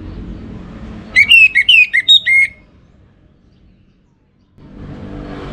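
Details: Lure song of an orange-headed thrush (anis merah) kept in North Bali: a fast run of about seven clear, slurred whistles, some dipping and rising, followed by near silence and then faint background noise.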